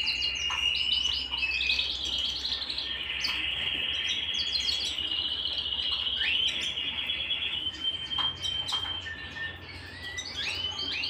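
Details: Canary at home singing a long continuous strain: a held whistled note running for several seconds, overlaid with fast rolling trills and sharp upswept notes, then shorter rising phrases near the end; faint low hum beneath.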